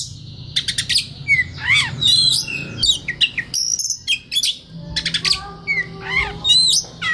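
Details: Oriental magpie-robin (kacer) singing relaxed, moving into konslet style, recorded as a master for training young wild-caught birds; rapid buzzy trills, sweeping whistled slurs rising and falling, and sharp high notes in varied bursts.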